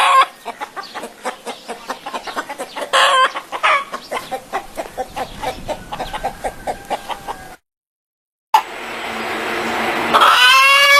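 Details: Hen on a farm clucking in a steady run of short pulses, several per second, louder bursts near the start, then a pause and a harsher drawn-out call with strained rising notes at the end.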